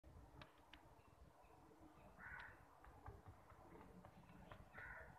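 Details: A common myna (Acridotheres tristis), filmed while eating, gives two short, harsh, grating squawks about two and a half seconds apart, with scattered clicks over a steady low background rumble.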